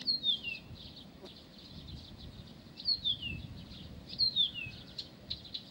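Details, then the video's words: Song of a Blyth's reed warbler in Pavlodar. Falling whistled slurs come about every one and a half seconds amid scratchy high twitters, over faint background noise. "НА КОНЦЕРТЕ САДОВОЙ КАМЫШЕВКИ В ПАВЛОДАРЕ"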